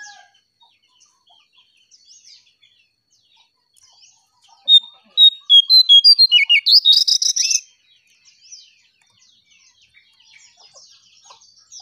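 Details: Lure song of a striped tit-babbler: a rapid series of about eleven short, sharp notes repeated evenly over three seconds, rising in pitch toward the end, with faint distant chirps before and after.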